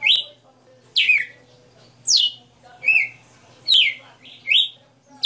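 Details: Lively song from a caged red-cowled cardinal with a 60-note repertoire: loud sweeping whistles in quick succession, each sliding down from high pitch, little else heard besides a faint hum.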